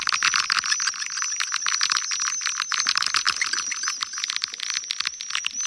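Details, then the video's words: Lure sounds of swiftlets from Kampar, Riau: calling and roosting calls of many birds. Dense, fast clicking and shrill chirping run without pause, a steady high hiss of twitters over irregular click volleys. "Suara Panggil Burung Walet"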